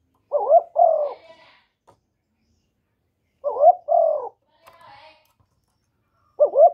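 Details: Spotted dove giving its calling coo, a sound meant to stimulate male doves. Low two-part coos repeat about every three seconds: a brief wavering note, then a fuller descending one. Faint soft rustles sound in the gaps.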